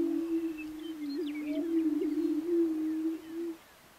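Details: On a Nebraska lek at Switzer Ranch in 2011, Greater prairie chickens produce a loud low droning moan for about three and a half seconds, mixed with short chirps and cackling notes before it fades out.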